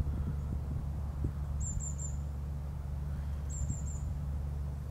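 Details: European goldfinches foraging on plants on a hill by the parking area near Loevestein Castle on Christmas Day; two faint runs of three very high, quick tinkling notes, about two seconds apart, over a steady low rumble.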